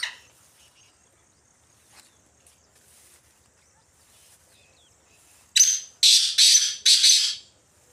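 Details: Wild black francolin roaming free in the jungle: after a quiet stretch with faint distant notes, four loud, harsh, grating bursts come in quick succession near the end, rasping and broad-toned.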